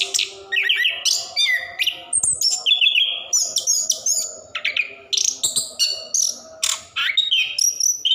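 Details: Rolling song of an orange-headed thrush, locally anis kembang, offered to prompt caged birds reluctant to sing; energetic series of varied whistles, upslurs and high squeaky notes in quick, closely spaced phrases.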